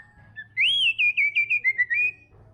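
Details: White-rumped shama (murai batu trotol) gives a loud, high, arching whistle followed by a quick chain of seven clear whistled notes stepping slightly downward, with a faint low hum behind.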